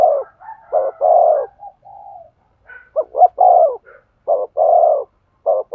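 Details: Spotted dove cooing used to stimulate a male to coo: low, soft, hollow coo notes in short groups, some clipped and some drawn out, separated by brief pauses, on an otherwise silent background.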